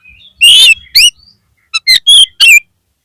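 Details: Lure recording of an oriental magpie-robin (kacer) to boost a drooping kacer's spirit: loud, harsh, rich notes alternating with clear whistles, about five strong elements in quick succession, then silence.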